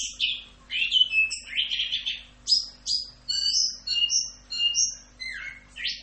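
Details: Orange-headed thrush (anis kembang) in 'rock'n roll' singing for masteran training, pouring out mellow warbled notes, then a series of clear, steady high whistles at varying pitches, closing with downslurred notes; faint low hum behind.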